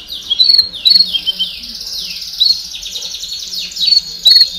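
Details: Domestic canaries singing in a chorus to stimulate young birds: continuous high trilling with bright whistled notes repeating about every second and soft lower notes underneath.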